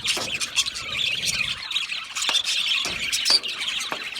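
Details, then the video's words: Several budgies in an aviary give continuous squeaky chirping and raspy chatter, with short sharp clicks and a brief high whistle. "Budgie parrot chirping sounds"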